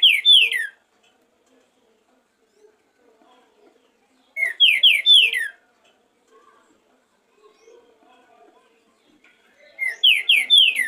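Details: Warm-up song ('esquenta') of a green-winged saltator, professional rehearsal recording from 2023: short phrases of three or four ringing, descending whistles, delivered roughly every five seconds with quiet gaps between, three phrases in all.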